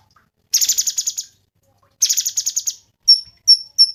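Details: Two harsh, buzzy rattling phrases from a Cungkok, each about three-quarters of a second long, followed by three sharp, high whistled notes; used as master song for cage birds.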